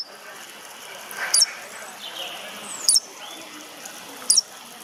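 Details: Ornamental starling giving three short, sharp, high calls spaced about one and a half seconds apart, with a soft background hiss and faint sliding whistles between them.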